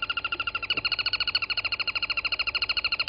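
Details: A crested barbet at Gowrie dam waterhole, Djuma Game Reserve, Sabi Sand, South Africa, at 07:34 on 23 August 2020, gives a long steady trill of about twelve buzzy notes a second, like an alarm clock, over faint hum.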